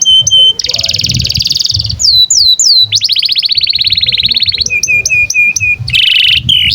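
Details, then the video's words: Canary song used as tutor audio for young canaries and birds that have stopped singing, alternating flat high whistles, harsh buzzy trills and a long drawn-out rattling roll. "SUARA BURUNG Kenari GACOR PANJANG INI Cocok untuk Masteran KENARI PAUD dan Kenari Macet BUNYI"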